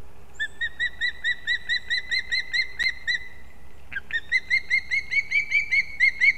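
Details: Competing osprey chicks at a nest in an old leaning pine in Kurzeme, Latvia, 11 September 2024: rapid runs of short, high, slightly upslurred whistled chirps, two to three per second, overlapping, over faint outdoor noise.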